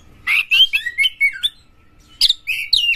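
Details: Champion Oriental magpie-robin singing intensely with tail opened, a lure to provoke other magpie-robins. Two short rich warbled phrases of sliding, fluty notes separated by a brief gap.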